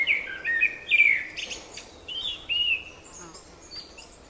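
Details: Spring singing of a bird: tumbling whistled notes in quick succession, a brief pause, then a longer sliding whistle, with faint high chips from other birds and soft background noise.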